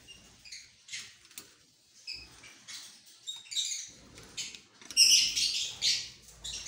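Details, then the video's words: Green opaline lovebirds chattering with sharp high chirps and scratchy squeaks, louder and denser toward the end, some notes overlapping as several birds call. "Green opline lovebirds"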